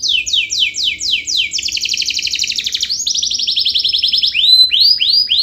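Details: Long 'gacor' canary song played to make lazy canaries sing: a series of falling whistled sweeps, then a fast, ringing trill that shifts pitch and ends in bright upward-curving chirps.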